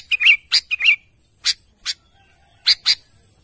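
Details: Sooty-headed bulbul, lively and calling to its companions, gives two slurred, chattering notes followed by spaced single harsh chips and a closing pair, the notes irregular and bright against a quiet background.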